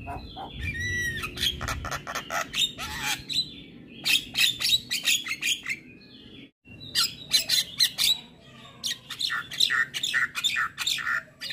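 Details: Black-winged myna singing, a training recording played in the morning to get mynas singing; harsh broadband squawks and clicks in fast bursts, mixed with whistled notes, a short pause midway before another loud run.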